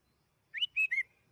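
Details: A single clear whistled phrase from a sooty-headed bulbul, one upslurred note then two slightly lower, sweet steady notes, used to coax bulbuls into singing.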